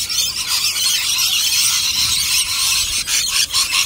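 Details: A flock of rainbow lorikeets making a constant shrill, rasping chatter of overlapping high squeals, loud throughout with a few short gaps near the end.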